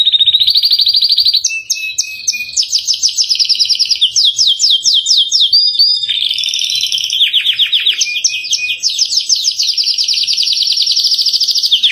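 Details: Canary singing a rich cengkok mewah song, a master recording for training captive birds: loud, high rolling trills and rapid repeated notes, shifting pitch between sections with hardly a break.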